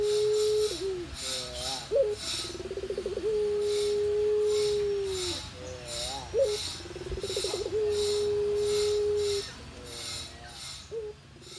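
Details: A contest-winning Barbary dove (puter pelung) in Tulungagung, Indonesia, coos low and long: rolling, stuttering notes swell into a drawn-out steady hum lasting seconds, repeated, with a faint pulsing high chirp in the background.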